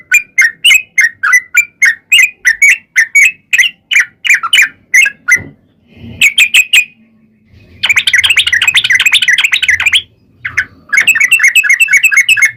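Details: Lure recording of a Sooty-headed bulbul meant to make bulbuls sing: rapid repeated bubbly notes for five seconds, a pause, then a short burst and dense, fast chattering twitter, with faint low rumble.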